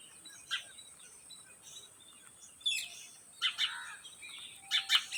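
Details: Rose-ringed parakeets, known as green ringneck parrots, give harsh, scratchy squawks in clustered bursts toward the end, over a faint constant high hiss and soft chirping.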